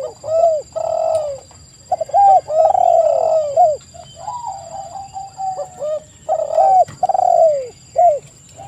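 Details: Spotted dove lure song meant to draw a fast reply from other doves: soft, throaty cooing phrases repeated almost without break, notes overlapping and bending downward, over a thin constant electronic whine.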